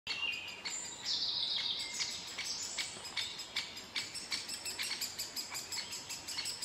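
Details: Great spotted woodpecker young begging while being fed by a parent: a high, scratchy chatter of sharp notes, two or three a second, opening with a hissing rush.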